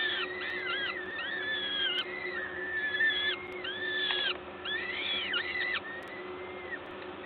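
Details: Peregrine falcons in Gdańsk, Poland, 14 May 2022, at a nest during a feeding. Overlapping arched whines, quickening then trailing to a single drawn-out call, with a steady industrial hum underneath.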